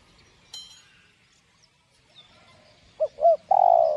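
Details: Spotted dove song used to provoke caged doves, in 'giọng đồng' style. Quiet birdsong and a brief chirp come first. The phrase closes the stretch: two quick coos, then a drawn-out lower croo.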